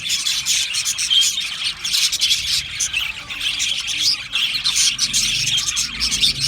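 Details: Happy singing and chirping from an Australian budgie colony in an aviary, a thick, steady blend of high, buzzy warbles and quick chirps from many birds, with a faint low rumble late on.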